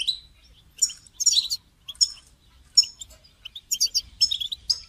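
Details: Bright European goldfinch calls, played to stimulate a caged goldfinch to sing, come as short chirpy bursts with ringing high notes, spaced irregularly over a few seconds of quiet background.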